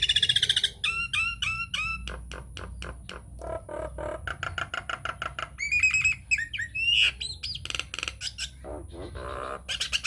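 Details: Nias hill myna singing in a lure recording meant to draw other mynas into song: a loud, varied run of clear whistles, sharp falling notes and harsh squawks in quick, irregular bursts, with faint background music.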